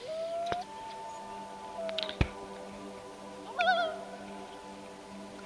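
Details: Common Loon family with a downy chick at Beta Bay, Algonquin Park, Canada, at night in summer: the male's tremolo is answered by the female's short, mournful wail that steps up in pitch, then a brief wavering call over a low hum.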